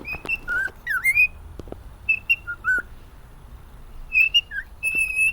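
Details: Happy male pet cockatiel singing a melody: clear whistled notes stepping between higher and lower pitches, some sliding upward, in short phrases separated by brief pauses, with soft clicks between.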